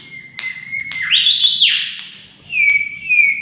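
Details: Energetic mangrove whistler lure song: a level whistled note slides into a loud rich phrase that rises and falls, then clear sustained whistles return, slightly wavering in pitch.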